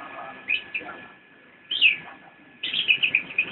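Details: Javan white-eye singing nyinden: scattered high chirps, one louder rising note, then a fast run of twittering notes at the end.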